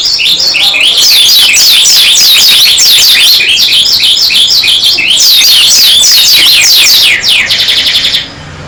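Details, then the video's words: Long, unbroken stretch of vigorous song from a dakun Oriental white-eye: dense, very rapid high twittering of falling slurred notes lasting about eight seconds, ending in a few sweeping notes. "Kicaru Burung Pleci Dakun Gacor Suara Edan Buka Paruh"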